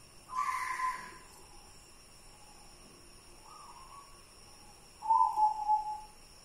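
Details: Softer coos from a white zebra dove of local stock: a brief trill, a short faint note, then a louder rippling coo. A steady hiss of background noise runs throughout.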